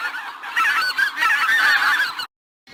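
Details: Goose giving a loud, continuous harsh honking clamor for about two seconds, then silence.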